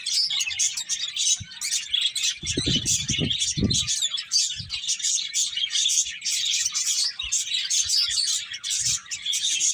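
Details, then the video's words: Finches chirping as they eat, an unbroken high twittering chorus, briefly joined by a lower harsh sound near the start. "Cute Finches Chirping Sounds"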